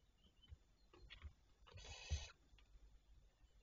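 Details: A barn owl, one of several, recorded at 07:52 on 27 May 2023, gives a harsh, hissing screech lasting about half a second, preceded by fainter raspy notes, over low background rumble.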